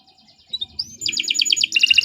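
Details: Canary song for training other birds: a few thin notes, then rapid trills of repeated sharp high notes, with a low background hum.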